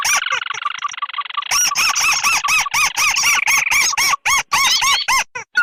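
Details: Crake lure of red and white tikusan birds from swamps and rice fields: a continuous buzzy, harmonic drone for over a second, then a rapid series of arched nasal notes about three each second, ending in rising squeaks.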